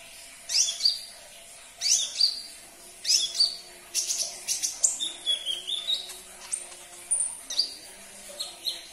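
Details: Sunbird song played to coax a caged bird into singing: sharp high chirps and quick falling whistled sweeps in bursts about every second, later a faster twittering run, over a steady low hum.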